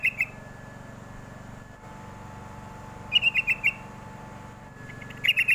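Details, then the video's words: Sooty-headed bulbul call used as a lure to make young birds answer: short bursts of bright, slightly descending chirped notes around mid-high pitch, in quick groups of three to five, separated by pauses, over a low steady hum. "pancingan paling jitu burung trucuk muda pasti nyaut"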